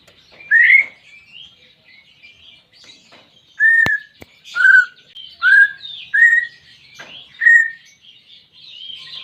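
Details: Greater green leafbird kept as a pet, its song used to rouse a silent bird: a series of short loud whistled slurs roughly once a second, with faint higher twittering and a few sharp clicks behind.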